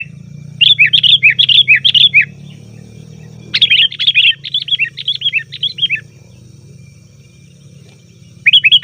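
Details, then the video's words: Sooty-headed bulbul calls, a noisy lure sound for attracting wild bulbuls in the forest: bursts of quick bubbly chirps, one short and one longer, broken by silent gaps, over a low steady hum. "suara burung kutilang ribut||ampuh untuk panggilan kutilang di hutan,kutilang di rumah pasti Nyaut"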